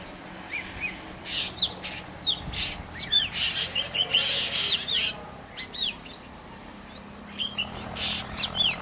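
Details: Juvenile black drongo (Dicrurus macrocercus) giving short, sharp, metallic notes and brief upslurred whistles, irregularly spaced, over a steady hiss of background noise.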